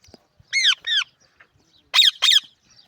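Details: Pakistani parrot, a talking pet tota, giving two pairs of loud, harsh, arched squawks, each call short and ringing, the second pair brighter and rougher, with quiet gaps between and no other clear sounds.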